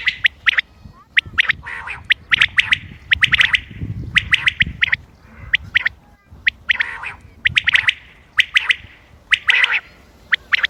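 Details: Common quail calls recorded 28 May 2025 for quail hunting: sharp clipped notes in quick groups of two or three, repeated irregularly about once a second, with a soft buzzy murmur between groups and low rumbling background.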